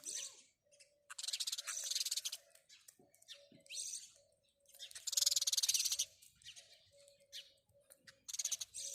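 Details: Bursts of high, buzzy sparrow chirping alternate with quieter gaps, over a faint steady hum.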